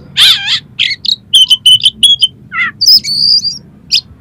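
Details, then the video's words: Oriental magpie-robin song packed with coarse fill material to provoke a rival magpie-robin: a loud wavering screech, a string of short clipped whistles, a descending rasp, then long high whistled notes. "SUARA KACER FULL ISIAN MATERI KASAR-KASAR !! COCOK UNTUK MENAIKAN EMOSI KACER"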